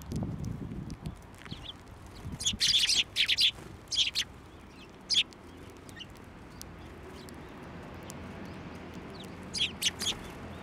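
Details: Sparrows at a Tenmangu shrine, 29 January 2024, coming to a hand for food. A few loud clusters of sharp, high chirps in the first half, then quieter scattered tweets near the end, with low background rumble.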